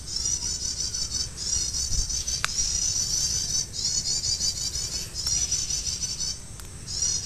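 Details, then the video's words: An olive-backed tailorbird, being lured for trapping and finally caught, gives very high, rapid trilled bursts of about a second each, almost without pause, over a low traffic rumble and a few sharp clicks. "BURUNG PRENJAK LUMUT / CIANG CIANG"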